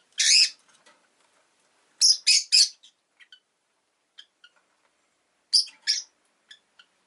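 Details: Rosy-faced lovebird kept as a pet, emitting loud grating chirps, a single long one, then a quick triple, then a pair, separated by soft ticking notes.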